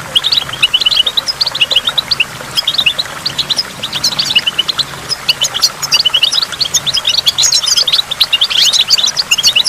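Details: Goldfinch by a waterfall: an unbroken chatter of tinkling high notes and quick trills, growing denser toward the end, set against the steady wash of water.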